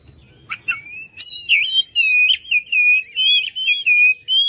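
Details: Oriental magpie-robin lure song for provoking answering birds: two sharp chips, then an even series of looping whistled notes, each about half a second long, repeated in steady succession.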